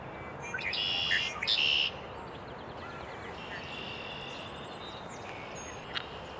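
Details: A red-winged blackbird gives its songspread on a cold morning at the Cornell Arboretum in early April 2020. Brief introductory notes lead into a harsh, buzzing trill lasting about a second, followed by quieter distant bird calls.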